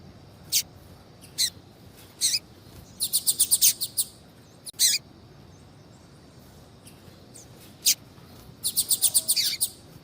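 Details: Female double-collared seedeater calling to stimulate a male to sing: isolated high chirps separating two quick bursts of repeated sharp notes, over a faint steady background hum.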